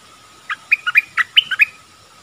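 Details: Streak-eared bulbul giving a short phrase of about seven quick chirped notes that jump between lower and higher pitches, over a faint constant background tone.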